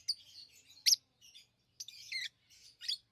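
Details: Brief burst of lovebird chirps: thin whistled tones, a sharp loud chip, then a drawn-out buzzy note sliding downward and a final high chirp.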